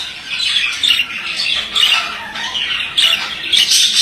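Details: Male budgerigar in continuous chattering song, a rapid run of grating, buzzy warbles that swell and fade, with a few sharper squeaks mixed in.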